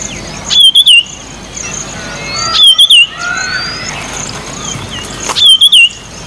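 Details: Marshall's iora (white-tailed iora, Aegithina nigrolutea) sings a short, clear whistled phrase with a quick warble during nesting activity, repeated about every two and a half seconds over faint background birdsong.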